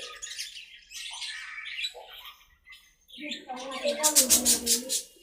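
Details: Budgerigars playing and talking to each other in their aviary: a stream of high, scratchy warbling chatter with short squawky notes, a brief pause, then a louder run of harsh, buzzy squawks toward the end.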